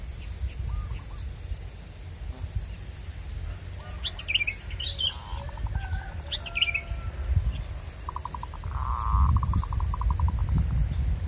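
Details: Wild local zebra dove song heard while luring it: faint pulsed coos early on, then a long, loud rattling series of rapid beats near the end, with scattered higher chirps and low noise.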